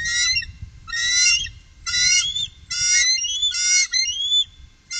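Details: Five bursts of squealing, harmonic chatter from three bald eagles on the Upper Mississippi, 2018, roughly one per second, the later ones sliding upward at their ends; soft low-frequency rumble underneath.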